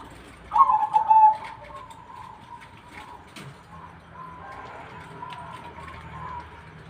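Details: Zebra dove cooing: one loud, quick phrase of stuttering, purring notes near the start, followed by quiet background with faint murmur and low hum.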